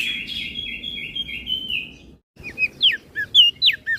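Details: Crested white-eye from Flores singing 'gacor isian' as a master for other birds: a long, even buzzy trill lasting two seconds, a short silence, then crisp, swooping whistled notes repeated at a quick pace.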